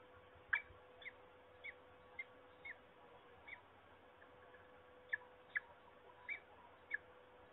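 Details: Wild peregrine falcon calling at Trzebież, Poland, on 26 March 2021: a faint series of short, sharp notes, about ten spaced irregularly over seven seconds against a steady low hum and background noise.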